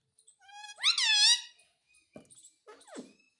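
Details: Talking pet parrot asking to be given roti, producing one strong rising-then-falling nasal syllable near the middle, followed by soft clicks and a brief descending squeak.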